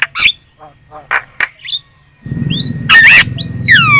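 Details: Javan myna, a chatty lure song used to draw replies from other birds: scattered short harsh notes and a squeak, then a loud raspy burst with bright whistled upslurs over a low background rumble.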